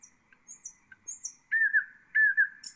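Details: Common nightingale phrases used to tutor bulbuls and songbirds: thin, very high whistles, then two loud warbled slurs, each wavering down and up, with a brief high note at the end.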